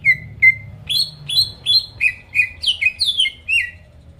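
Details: Greater green leafbird, a lively singing bird used as a lure to provoke rival birds into singing: a run of bright whistled notes sliding down from about mid-high pitch, separated by short gaps, with a low background hum.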